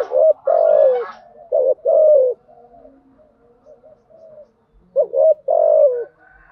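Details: Spotted dove used as a lure, giving urging and calling coos to stimulate decoy doves: loud, deep hooting coos in paired and tripled notes, a quiet stretch of faint murmurs, then another strong phrase ending on a long falling note.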